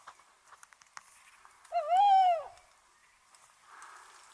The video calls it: Alaca Baykuş • Tawny Owl